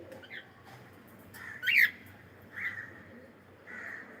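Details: Cockatiel giving a few short calls: one loud, harsh squawk near the middle, then two softer, drawn-out calls, over a steady background hum.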